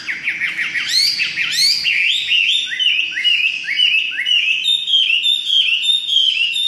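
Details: Chinese hwamei in full song: loud sweeping whistles, then a fast series of short, slurred, down-curving notes repeated roughly twice a second in a steady rolling sequence.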